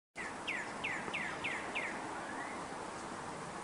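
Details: Northern cardinal in a backyard: five quick, clear downslurred whistles, about three per second, then a softer rising note, over a steady wash of outdoor noise.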